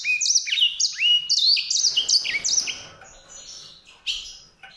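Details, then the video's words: White-rumped seedeater opening with rising upswept notes and a quick warbled run for about two seconds, then trailing off into faint sound, with one final short chirp. "song canário-de-sobrebranco, Weißbürzelgirlitz, Edelzanger, kanárik sivý, zvonohlík šedý, greysinger"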